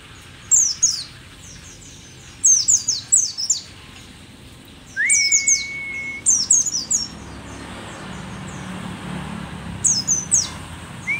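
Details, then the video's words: Mountain white-eye (pleci dakun, rare and endemic to Merapi), an old bird in full song: repeated bursts of high, thin, tumbling downslurred notes, with a steady mid-pitched whistle held for about a second. "pleci merapi tak kan pernah ingkar janji, tua tua gacor"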